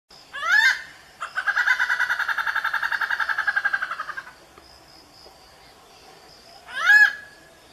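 Indian grey hornbill giving a loud squealing note, then a rapid rattling run of harsh squeaks for about three seconds, and another sharp squeal.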